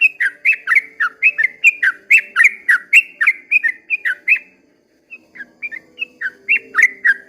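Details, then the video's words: Yellow-vented bulbul singing at daybreak, its long ropel song a stream of bubbly slurred whistles for about four seconds, a brief pause, then the same rich notes resuming a little more sparsely. "kicau suara trucukan ropel panjang di waktu fajar"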